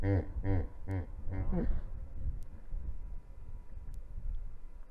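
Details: Yellow-necked spurfowl pecking around near the Mpala Africa River wildlife camera on 19 March 2021. One gives a quick series of about five harsh, grating notes in under two seconds, followed by a steady low rumble of wind or traffic.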